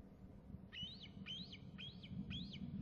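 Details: Eaglet calling close to the nest in flight: five high, squealing notes, each rising then falling in an arch, evenly spaced about every half second over a steady low background rumble.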